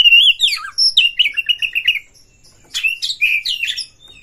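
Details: Oriental magpie-robin song from Indonesia, played as a lure to excite other magpie-robins into singing and fanning their tails. Clear whistled phrases: a short rising note, a downslurred note, then a series of repeated bright chirps, a pause, and more varied whistles.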